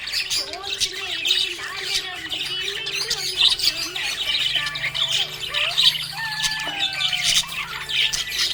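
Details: Happy pet budgerigars chatter in busy, scratchy warbles and squawks, with some faint low tones in the background.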